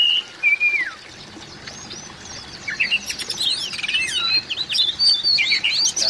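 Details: Calling Oriental magpie-robin, used to overcome mute magpie-robins: an opening pair of clear falling whistles, a near-silent gap, then a rapid tumbling jumble of high twisting whistles and chirps that grows busier toward the end.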